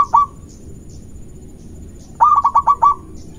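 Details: Zebra dove of local stock calling actively, a lure song to provoke rivals: a clipped note at the start, a pause, then a full phrase of five or six soft, rolling, evenly pitched coos.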